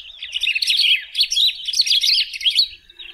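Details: Continuous, fast twittering song of the golden-billed saltator (pepitero, picahueso), a steady stream of short chirped notes with slight swells, for about three seconds.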